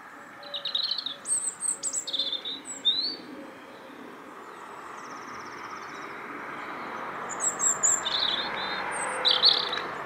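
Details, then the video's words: Bird song in two bursts: quick varied high twittering phrases with sweeping whistles, then a quiet stretch before a second twittering burst, over steady low background rumble. "CHANT OISEAU"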